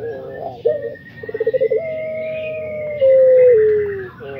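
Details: Anggungan (puter pelung) pelung song: a rapid series of pulsed stuttering coos swells into a long level coo, which then drops and tapers off. A thin, higher whistle runs faintly above it.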